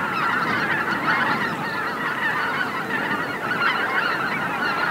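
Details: A large flock of greater white-fronted geese coming in to roost at Miyajima-numa marsh, Bibai, Hokkaido, Japan, 2016: a dense chorus of countless high yelping honks overlapping without pause.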